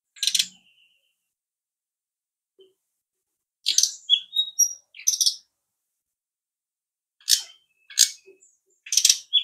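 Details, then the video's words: Brown-chested jungle flycatcher singing in spaced bursts: harsh clicky notes with quick high twittering whistles, repeated in several separate phrases with silent gaps between. "SRDC sikatan rimba dada coklat"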